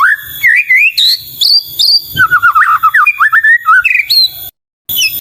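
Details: White-rumped shama (murai batu) singing loudly in a varied, melodious stream: rising whistled slurs, rapid warbled trills and sharp upward notes, phrases broken by brief gaps and a short silence near the end.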